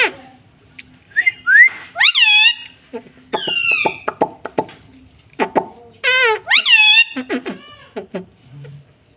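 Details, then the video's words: Indoor pet green ringneck parrot talking: a thin whistled upslur, then several loud harmonic, wavering word-like phrases with falling tails, separated by short pauses and soft clicks. "Mummy papa bolunga 👑 BOLNE WALA TOTA 😁 Talking parrot"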